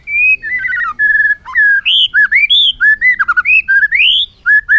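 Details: Bird song, recorded in 2021: clear whistled phrases in a varied string, slurred up-and-down notes and short level whistles following quickly with brief pauses between them.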